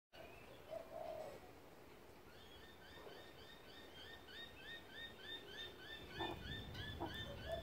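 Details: An annoyed Laughing Kookaburra that had grabbed a person's finger while other birds were being fed gives a fast run of short, hooked chuckling notes, three or four a second, with low rumbling background noise and a few thumps.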